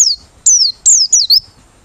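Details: White-eye of the Merapi type singing open-beaked in forest style, suited as a lure for bird catching: four high, thin whistled notes in quick succession, each sweeping sharply downward, with brief quiet gaps between them.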